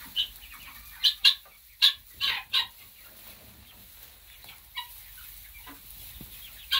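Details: Chicks in a new coop giving scattered high, piercing peeps, some in quick pairs, over a steady faint hiss, with gaps of quiet between the bursts.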